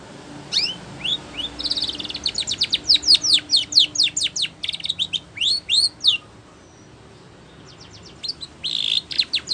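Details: Spanish Timbrado canary song for training: scattered high whistles building into a rapid run of descending notes, a quiet gap, then a brief buzzy burst and soft trill.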